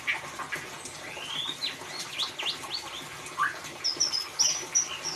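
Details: White-rumped shama in ngeriwik style, used as a lure to prompt a silent shama to sing: varied loud whistles and sweeping slurred notes, ending in quick high chattering trills, over a steady hiss.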